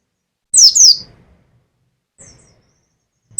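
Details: Caged mountain white-eye, Pacitan type, in 'nembak' song: a loud pair of high falling whistles, followed by a faint soft note and the start of another burst.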